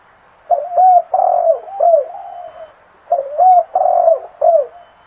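A zebra dove gives two bursts of soft, rapid cooing, each a string of short rolling and trilled notes near the middle of its range, separated by a brief pause.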